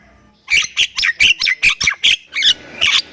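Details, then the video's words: Javan myna, Thailand jalak kebo, singing after a quiet start: eight loud, bright squawky chirps in quick even succession, followed by two buzzier rasps. "MERINDING DENGAR OCEHAN BURUNG JALAK INI || Jalak Kebo Thailand Gacor Full Isian"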